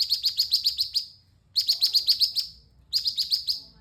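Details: Vigorously singing orange-spotted bulbul delivering quick runs of sharp, high chirps, roughly six to eight notes per run, with brief gaps between runs and a soft low background rumble.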